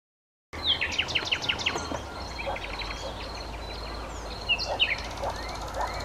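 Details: Common nightingale (Luscinia megarhynchos megarhynchos) singing at Sithonia, Chalkidiki, Greece, on 10 May 2020: a fast run of repeated sharp whistled notes, then scattered chirps and a later burst of slurred notes, over a steady background of high pulsing dashes and low hum.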